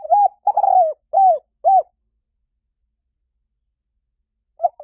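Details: Spotted dove cooing a quick phrase of four low, arched notes, the second longer and rolling, followed by a long pause before a single faint coo at the end; no other sounds.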